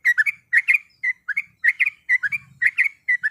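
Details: Female yellow-vented bulbul calling to a male, used to provoke a rival: short bubbly two- and three-note phrases, falling then rising, repeated about every half second against a quiet background with a faint low murmur.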